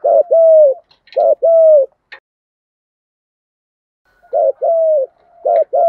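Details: Spotted dove cooing in giọng thổ, thúc gù and gáy gọi styles, meant to train decoy birds. Two low two-part phrases, a long silence, then two more phrases of short note plus sustained coo.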